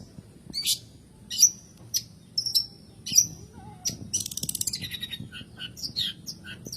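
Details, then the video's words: Long-tailed shrike singing, used to provoke lazy birds into song: spaced, scratchy high notes and short whistles at first, then a rapid buzzy rattle and a burst of quick, varied chirps. "PANCINGAN SUARA BURUNG CENDET PENTET"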